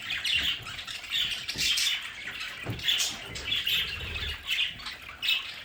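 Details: Several pet budgerigars in their home play area chatter together: warbling, scratchy notes and short squawks in overlapping bursts, with faint low thumps of movement beneath.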